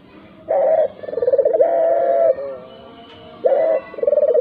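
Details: Lure recording of a dove, played to make other doves, even mute ones, start calling: a sharp opening coo, then a long throbbing, rolled coo, followed by a pause and the phrase starting again.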